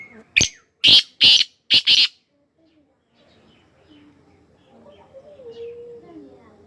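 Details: Loud grating call of a black francolin: one sharp introductory note then three to four rasping notes over two seconds, followed by silence and faint distant voices.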